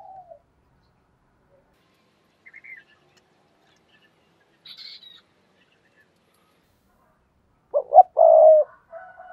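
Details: Spotted dove lure call for wild doves: near silence with a few faint distant chirps, then one loud coo phrase of two short notes and a long mellow hoot, followed by soft tones.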